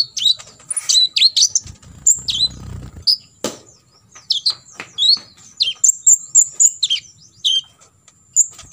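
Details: Olive-backed sunbird (kolibri ninja) in full 'tembakan isian' song, played as a training recording for other sunbirds to imitate: sharp, high, downward-swept chirps and thin buzzy notes in quick irregular bursts, with brief low rustling.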